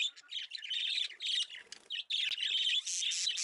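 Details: A trained pet female budgerigar chatters steadily, with scratchy warbles, squawks and quick chirps running almost without pause.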